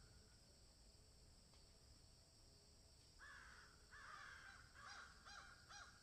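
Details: Distant crows in a field: background hiss, then drawn-out raspy caws followed by several short clipped caws near the end.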